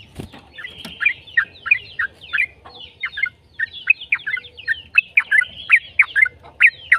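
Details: Yellow-vented bulbul in a long rambling song, used to prompt other bulbuls to answer: dense chattering stream of bubbly gurgled notes and short whistles with a low background hum.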